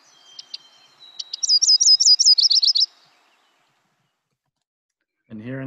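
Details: Quiz playback of a Yellow-rumped Warbler singing: a few scattered high chips lead into a rapid, sweet trill of slurred notes lasting about one and a half seconds, ending abruptly. A human voice briefly follows.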